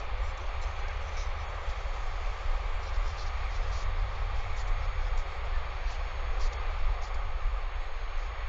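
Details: Constant broadband hiss over a deep low hum runs unbroken through the recording, with no animal calls.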